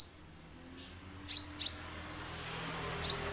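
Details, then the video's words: Orange-headed thrush sound used as a lure to make birds sing: a pair of quick high whistles that sweep down and flatten, followed after a pause by one more, with light background hiss. "suara untuk pancingan damer agar langsung bunyi"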